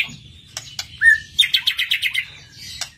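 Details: White-rumped shama; song; lure to make other birds sing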